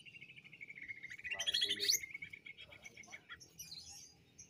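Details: Banyuwangi cucak ijo, the greater green leafbird, in jamtrok lure song of ngentrok style: a steady rattling trill, interrupted by a bright high flourish, then scattered chips, with low humming behind.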